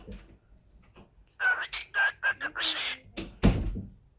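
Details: A pet cockatiel scolds its owner for being gone at work too long, giving a quick run of harsh, scratchy chattering calls, followed by a dull thud.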